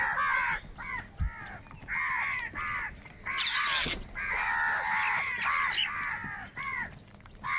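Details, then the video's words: A huge flock of crows fighting for food. Rough arched caws repeat steadily from many birds at once, with a noisy scuffling burst partway through. "Kaka sound and Noises of Crow Birds | Huge Numbers of Crows Crowing and Crying sounds"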